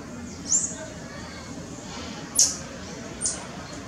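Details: Very high, sharp piercing notes from a white-barred piculet (Picumnus cirratus), recorded August 2018 in Parque da Chacrinha, Rio de Janeiro; three short notes at uneven gaps within four seconds, the middle one loudest.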